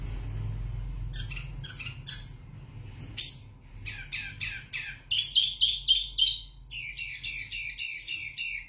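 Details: Zebra finch (wambi mini) singing loudly and clearly, recorded as a tutor model: scattered chirps, then bursts of short buzzy nasal notes repeated about four per second, over a steady low hum.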